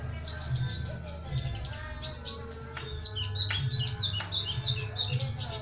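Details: Sunbird giving a dense, rapid trotolan-style song used for training other birds: a fast series of high, sharp chips and short whistled notes over a steady low electrical hum.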